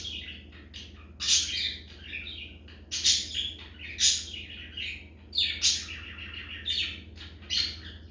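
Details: A budgerigar sings in the background while a cockatiel adjusts its crop, warbling in a chattering stream of high, scratchy chirps and squeaky notes.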